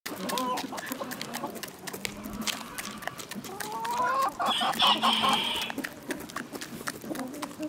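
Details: Chickens in a village setting, relaxing natural farmyard ambience: busy overlapping clucks and short cackles, a brighter drawn-out call near the middle, with clicks and scratching noises throughout.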